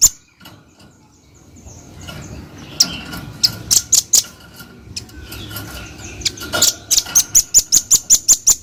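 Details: Scattered high chips building into a rapid, even rattle of piercing notes near the end, from a chatty velvet-fronted nuthatch, with some soft background noise.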